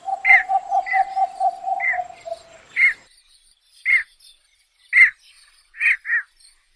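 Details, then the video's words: Javan pond heron uttering hoarse, scratchy squawks spaced roughly one second apart, while a steady string of lower, even-pitched pulses from another caller runs underneath for the first two seconds before fading out. "SUARA BURUNG BELEKOK SAWAH"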